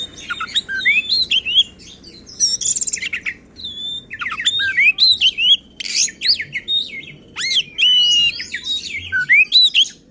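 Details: Oriental magpie-robin in an agitated, provoking song: quick sequences of clear whistled upslurs and downslurs interspersed with harsh scratchy notes, phrases coming every second or so over ten seconds.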